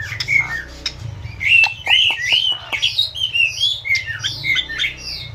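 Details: Asian pied starling in continuous song for tutoring caged birds: warbled, bubbling whistles and squeaky slurred notes tumbling over one another, with a low hum underneath.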